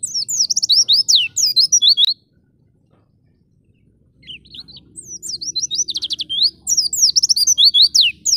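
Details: Oriental white-eye ngalas song meant to train pet birds: bursts of fast, shrill twittering and downslurred whistles, a two-second gap, then the excited high chatter builds again over a low steady hum.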